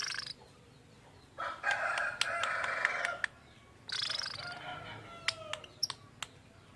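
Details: Lovebird with an unusual voice, said to copy human speech: two long stretches of raspy, buzzy chattering with tonal bands inside, separated by a pause, followed by a few sharp clicks and short whistled notes.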